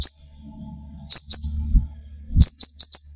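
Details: Lively kolibri ninja (sunbird) song meant to stir other birds to sing: short bursts of very high, sharp chirping notes, three or four clipped notes per burst, over a steady low background hum.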